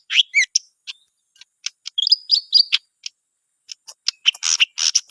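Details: Greater green leafbird singing actively: scattered bursts of high, sharp chirps, slurred whistles and squeaky notes, irregular and varied, with brief gaps, then a denser run of bright twittering toward the end.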